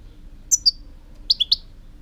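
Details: European goldfinch: two very high thin chirps followed by a rapid trio of louder, bright, slightly lower notes, crisp and close against a quiet background hum.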